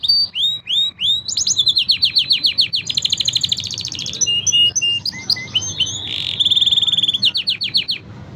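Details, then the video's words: Training song from five canaries, packed with varied tours: quick downward-sweeping chips, rattling trills, pure whistles and a buzzy phrase, switching every second or so without pause. "5 canary birds singing / best training song"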